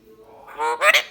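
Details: A talking Alexandrine parakeet mimicking phrases like "oh buddy come here" and "what are you doing" gives a brief speech-like harmonic phrase ending in a harsh, raspy burst, all within about a second.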